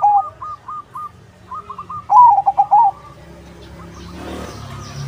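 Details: Crossbred zebra dove singing as a lure for other doves to answer: faint repeated trilled notes, then one strong warbling coo phrase, followed by rising background noise.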